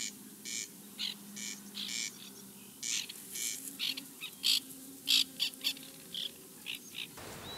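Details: Nesting colony of white-winged terns, 2021: a string of rasping, scratchy calls, irregular but frequent, some louder and sharper, with a quiet low hum in the background.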